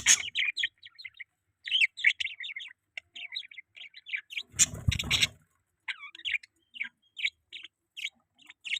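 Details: Budgerigar chattering steadily in quick, twittering chirps and warbled notes, interrupted once by a short low thud.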